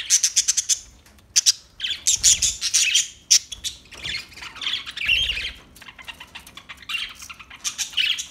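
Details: Budgerigars chatter in rapid bursts of buzzy, scratchy chirps and squawks, dense trains of short notes broken by brief pauses.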